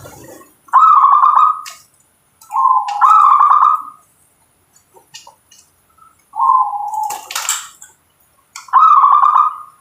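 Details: Local zebra dove giving repeated rolling, trilled song phrases with lower coo notes, separated by pauses; a brief crackling knock and scattered clicks in the background.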